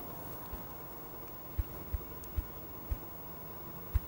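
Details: A male ruffed grouse drumming on its favourite log gives five deep, muffled thumps, roughly half a second apart, but no rapid closing roll. A faint rural hum runs underneath. Finding: Ruffed Grouse.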